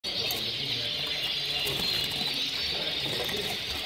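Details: Red mosaic canaries kept for breeding in 2016 fill the room with a dense, continuous chorus of rapid warbling and trilling from many birds at once, with faint wing flutters and cage knocks beneath.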